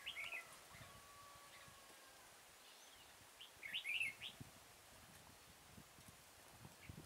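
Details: Red-whiskered bulbul singing during trapping with a caged decoy at Kim Bôi, Hòa Bình, 6 April 2017; a brief chirpy phrase at the start and a longer rolling warbled phrase a few seconds later, amid rustling and soft outdoor noise.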